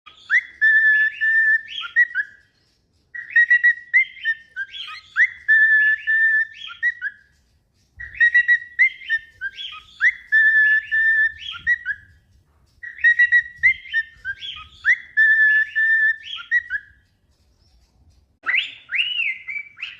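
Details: A cockatiel, practising its song, whistles a short, tuneful phrase of clear rising and falling notes, repeating it about every five seconds.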